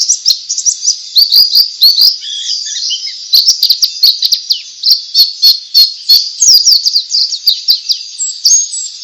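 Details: White-eye (pleci) in ngalas song, the style meant to set other white-eyes singing. Fast, high, buzzy-edged twitter of swooping notes and clipped chirps, loud and continuous, with a few lower notes near the middle.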